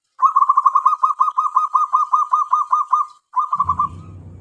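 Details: Tame zebra dove used as a decoy for catching wild doves delivers a long steady string of about seventeen rapid rolling coo notes, a brief break, then a few more before low rumbling noise.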